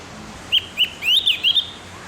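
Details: Tutor recording for captive birds, taken in the morning: a Javan grey-throated white-eye gives two short rising whistles, then a rapid tumbling string of high, slurred notes.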